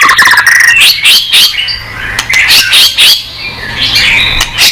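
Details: Gacor murai batu, a white-rumped shama whose song is meant to prompt replies: a quick rattling trill, then repeated bright, buzzy whistled notes and short warbles in uneven bursts, about four a second.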